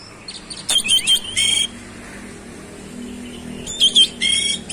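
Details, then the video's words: Oriental magpie-robin (kacer), very vocal, in fast rolling 'roll speed' style showing its mimicked fills: short steady whistles and harsh buzzy bursts near one second, then quiet, then a second whistled and buzzy burst near four seconds. "KACER SUPER GACOR ROLL SPEED BONGKAR ISIAN"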